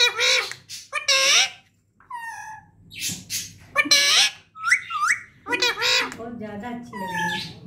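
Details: Pet parrot in a run of speech-like vocal imitations: bright harmonic squawks, bent whistled notes and chattering syllables in separate bursts over about eight seconds, with faint music behind.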